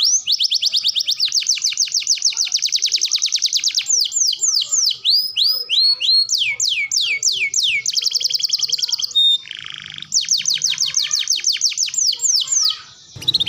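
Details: Canary song as a training recording for young birds: long rapid trills of repeated sweeping notes, shifting through several roll types and fast descending whistles, with a short harsh break near the end.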